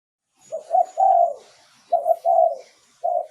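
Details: Spotted dove giving a decoy song used to lure wild doves: low mellow coos, two short notes and then a longer drawn-out coo that sags at its end, with the phrase starting again after a pause.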